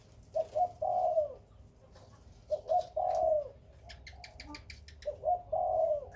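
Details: Spotted dove from Khmer and Malay breeding birds giving three phrases of paired short coos, each ending in a long falling croo. Another bird's rapid high chirps break in between the second and third phrases.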